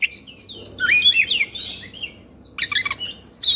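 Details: Oriental magpie-robin from Indonesia in an agitated state, tail fanned; quick sliding whistles and chattering squeaky notes, a rasp, then a pause before more rapid high chirps.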